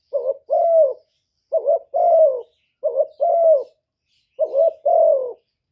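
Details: Spotted dove decoy giving its coo: a quick doubled note then a longer warbling falling coo, the low phrase repeated four times about every 1.3 seconds, with no other sounds.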